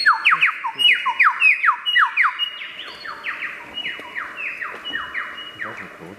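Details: A wild superb lyrebird gives a dense cascade of descending whistled sweeps, fast and overlapping at first, then gradually softening into evenly spaced down-slurred notes.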